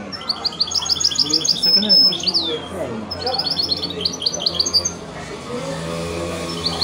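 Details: Goldfinch-canary mule bird, bred from a goldfinch father and canary mother, pouring out high, rapid chirped phrases and short trills in bursts, while people talk quietly in the background.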